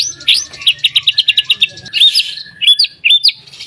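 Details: White-rumped shama singing, a recording meant to prompt other shamas to sing: a fast run of about ten crisp repeated high notes followed by scattered upslurred whistles and short chirps.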